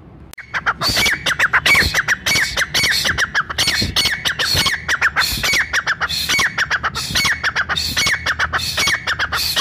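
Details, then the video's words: Brown francolin giving a gathering call used by hunters to bring forest francolins together: a long, steady, fast stream of harsh, squawking notes with sharp tonal peaks, after a brief click at the start. "براؤن تیتر قدرت کا شاہکار۔۔ brown frencolin voice"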